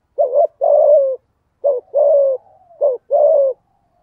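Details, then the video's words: Spotted dove, thổ voice, cooing to provoke a rival male: three low short-long coo pairs, mellow and slightly falling, evenly spaced. "Tiếng cu gáy giọng thổ thúc gù kích bổi hiệu quả"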